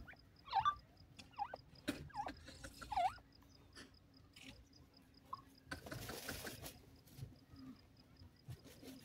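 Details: A female francolin gives a few short, nasal, dipping notes at an uneven pace, with a brief rasping burst and faint background noise.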